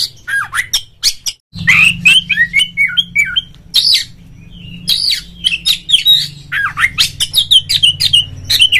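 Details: Oriental magpie-robin singing a rapid, varied run of loud whistles, slurred downward sweeps and sharp chips, nearly continuous with a brief break, a lure meant to rouse a rival caged bird into full song with tail fanned.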